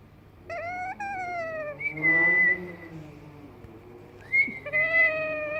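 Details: Cat-like moaning from a baby yellow Indian ringneck parakeet: two falling meows, a level whistled note over a soft murmur, then more meows rising and wavering.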